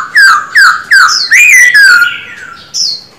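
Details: Caged male silver-eared laughingthrush singing during daily voice training: a run of loud, clear whistled notes, each sliding downward, given about two per second, then a higher drawn-out whistle after a short pause.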